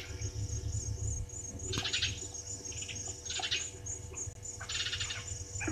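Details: Brown-headed parrots at Gowrie dam waterhole, Djuma Game Reserve, Sabi Sand, South Africa, 16:54 on 26 June 2023, give three harsh, screechy bursts about 1.5 seconds apart, over a steady high insect-like whine and low rumble.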